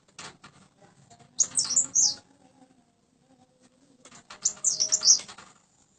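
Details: Tame Common Iora, said to sing often: two bursts of high, thin, rapidly warbled whistles about three seconds apart, separated by dry clicking and tapping noises.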